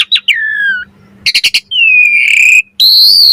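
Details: Asian pied starling song, used as a lure and master recording for training birds: a descending clear whistle, a short burst of rapid buzzy notes, then a long smooth falling whistle and a sustained high tone.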